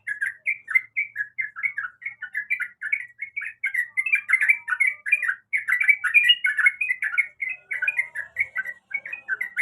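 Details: Sooty-headed bulbul female in breeding condition calling the male: dense, continuous chattering of short warbled, slurred notes, several per second, rising and falling, with thin high ticks above.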